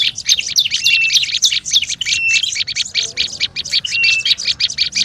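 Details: Olive-backed tailorbird lure calling, busy and agitated. Continuous high chattering with short level whistles at intervals and a faint low murmur underneath.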